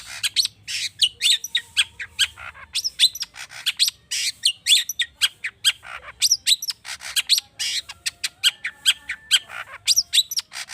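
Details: Long-tailed shrike song meant to stir other birds to sing: a continuous run of rapid chattering chips, harsh notes and short whistled phrases, dense and varied with barely a pause.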